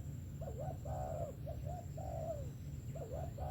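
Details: Spotted dove, described as a good-voiced 'sấm thổ' singer, cooing low and mellow: short hooked notes followed by a long, slightly falling croon, repeated about three times over a steady low hum and a faint high whine.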